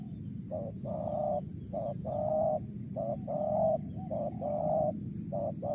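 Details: Repeated two-note coos of a wild spotted dove (tekukur), mersik voice: a brief note then a longer even hoot, five cycles, somewhat quieter against steady low background noise.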